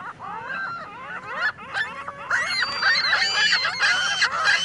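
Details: Gulls gathered on a parking lot in Michigan City, a dense chorus of overlapping harsh, rising and falling squealing calls that grows louder and busier partway through.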